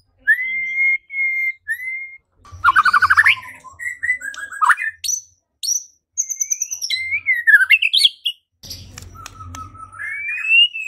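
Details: White-rumped shama singing to provoke rivals into song and fighting: three long, clear, level whistles open the passage, followed by varied buzzy, fluty and rising phrases with short breaks.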